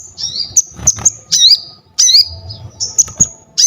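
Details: Crested jay singing strongly, offered as tutor material and to spur other birds: high whistled slurs and sharp clicking notes in quick irregular bursts, some with twisting downward inflections, over faint low rumble.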